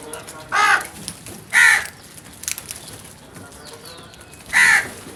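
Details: Several crows attacking food, giving three loud, harsh, hoarse caws, the first two about a second apart and the last after a three-second pause, over quiet background rustle.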